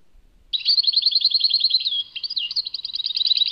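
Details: Tadmait goldfinch song: a fast rolling trill of repeated notes, a brief downward glide, then clipped chirps repeated rapidly, all high and clear with nothing else audible.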